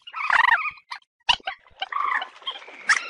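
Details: Common moorhen, call broadcast to attract birds for hunting: a loud, throaty cackle with a gurgling quality, followed by sharp clicks and a rougher drawn-out croak.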